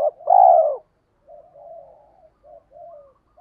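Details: Spotted dove in "tiếng thúc" lure style meant to provoke wild doves: a single long hoarse coo at the start, followed by soft, quieter low cooing notes.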